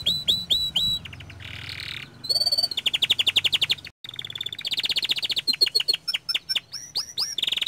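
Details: Young canary singing steadily: fast trills of rapidly repeated notes, buzzy rattles and looping, swooping whistles, with one brief silent break midway through the rapid, varied phrases.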